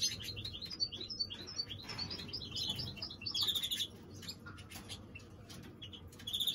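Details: Lively greenfinch hybrid warbling with quick chirped notes, buzzy twitters and a ringing trill, then a quieter spell before singing resumes, with low hum throughout.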